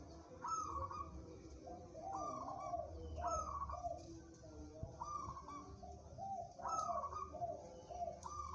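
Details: Local zebra dove, described as a strong-minded bird suited for song contests, singing repeated trilled cooing phrases that step down in pitch, each about a second long, in steady sequence over low background rumble.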